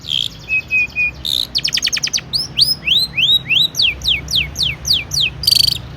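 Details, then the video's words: Long-tailed shrike singing mimicked fill-in phrases as a lure to get other shrikes to sing. Buzzy notes and a short flat whistle come first, then a rattle and a steady sequence of rising and falling whistled swoops ending in a harsh burst. "burung cendet gacor ISIAN AMPUH untuk PANCINGAN CENDET AGAR BUNYI"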